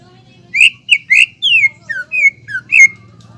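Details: Greater green leafbird in lively song, used as a lure to make untrained birds sing: a short phrase of seven whistled notes, first rough and harsh, then clear falling and rising slurs, over a faint low hum.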